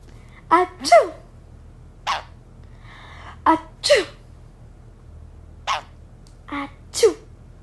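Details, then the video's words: A pet sun conure sneezing: short sharp bursts spread through the clip, several paired with quick downward-sliding squeaky notes, with quiet pauses between and a person's voice nearby. "Sun Conure Sneezing (Estornudando)"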